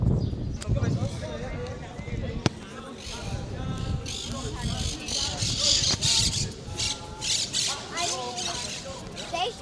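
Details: Green parrots flying along ancient fortification walls near a Roman theatre in Malaga, Spain, give harsh, grating screeches in quick bursts, several calling over one another, with people talking close by and a short burst of music.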